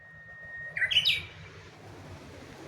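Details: Singing Japanese bush warbler at Kashiwanoha Park in May 2025. A clear, level whistle bursts into a rapid, rising, ringing two-part flourish, then fades over a faint low hum.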